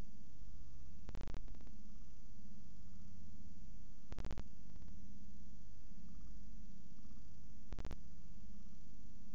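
Low hum with three sharp clicks and no animal voice.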